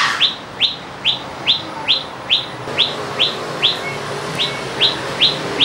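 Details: A common tailorbird, resident in a house garden in Petaling Jaya, Selangor, on 1 July 2010, repeats a loud, sharp, high chirp about twice a second, roughly a dozen times, over a faint background hiss.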